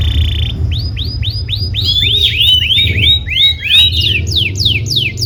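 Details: Canary tutor song for teaching young birds to sing: a string of rising upsweeping whistles repeated about three times a second, with overlapping swept notes and a steady low hum beneath.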